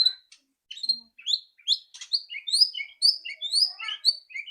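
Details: White-rumped shama, loud rattling song used to get a bird singing quickly: high, rapid chirps and squeaky slurred notes tumbling in quick succession, growing denser toward the end.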